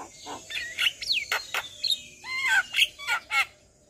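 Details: Javan myna (Acridotheres javanicus) sings a varied, jumbled run of whistles, harsh chatters and rising and falling squeaky notes, several phrases in four seconds, a lively full-repertoire song.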